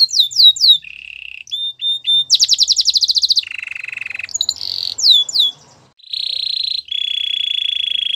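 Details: Varied canary song: short falling whistles, flat level notes, a dense loud buzzing trill, a silent pause, then long steady buzzy rolls at two pitches.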